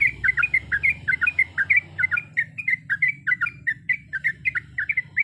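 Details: A calling female sooty-headed bulbul delivers a long rolling song of varied sounds, a nonstop string of chirpy, warbling double notes repeated about four times a second over a soft background hum.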